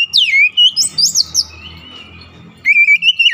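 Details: Oriental magpie-robin delivering a varied song of clear whistled notes, a drawn-out sliding whistle, then twittering phrases, a lull, and another whistled run at the end.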